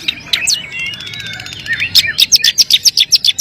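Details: Long-tailed shrike singing a brief warbled, slurred phrase followed by a fast, even series of sharp, high chip notes, about four per second.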